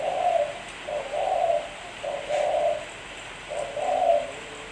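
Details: Spotted dove singing, a clean lure recording: deep, soft, burry coos grouped in paired phrases, a short opening note then a longer swelling coo, repeated with brief pauses against a quiet background.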